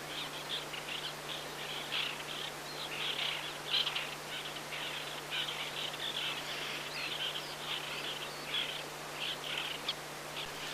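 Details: Migrant White-winged Terns (Chlidonias leucopterus), recorded on Yonaguni, Japan, or in Mongolia, give harsh, scratchy chattering calls in quick overlapping bursts, as if several birds call together, over a steady low hum.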